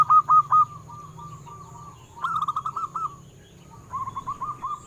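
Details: Local zebra dove song used to stimulate captive doves: three bursts of fast, rolling, evenly spaced cooing notes, the first loudest, separated by quieter pauses; steady faint high whine in the background.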